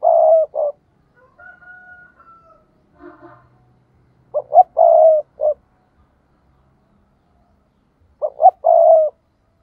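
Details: Spotted dove used as a decoy bird to lure rivals, giving repeated three-part coos: two short notes then a longer sustained coo, phrases every few seconds with soft twittering between them.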